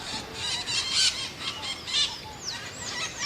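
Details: Scaly-headed parrot, also called maitaca-verde, giving harsh squealing calls in a loose series of bursts about once a second, with a few higher rising whistled notes near the end.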